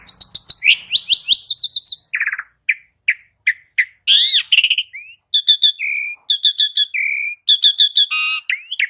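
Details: Jalak uren, the Asian pied starling, in a recording meant to coax kept birds into song. A fast series of clear descending whistles gives way to spaced, level whistled notes, a harsh rasping burst and rapid ringing chips.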